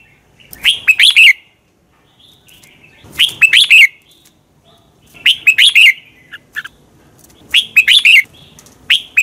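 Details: Morning competition singing of a red-whiskered bulbul, a decoy song for training birds: quick clusters of sharp, looping whistles repeated roughly every two and a half seconds, with brief gaps of silence between phrases.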